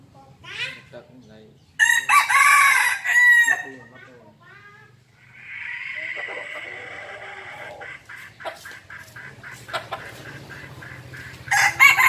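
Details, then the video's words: Young red junglefowl aged five months lets out a piercing, raspy crow of roughly one and a half seconds after some short clucks, followed by quieter drawn-out calls and scattered clicks, with another loud burst at the end. "Gà rừng năm tháng tuổi gáy cực gắt"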